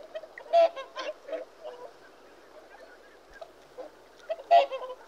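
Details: Whooper swans give bursts of loud nasal trumpeting, a cluster at the start and another near the end, separated by a quiet stretch of faint murmured notes.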